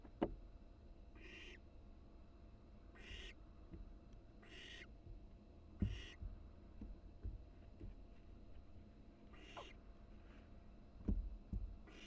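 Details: Barn owl nestling in a nest box, seen on a live camera during wing-flapping practice; five raspy, noisy hissing screeches, each about half a second, come every one and a half seconds over faint taps.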